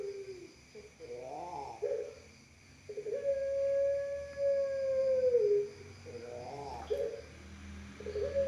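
A dove coos low and mellow: short rolling coos, then one long, drawn-out steady note that sags at its end, and the rolling coos return.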